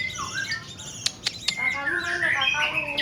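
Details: Black-tailed Nias white-rumped shama kept in a cage. Its song mixes a looping whistled phrase, sharp clicks and bright warbled notes that grow louder toward the end, while a man speaks nearby.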